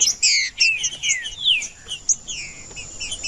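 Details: Green-winged saltator song meant to warm up a bird that is not singing: loud, clear whistled phrases with steeply falling slurs and short chirps in quick succession, little background noise.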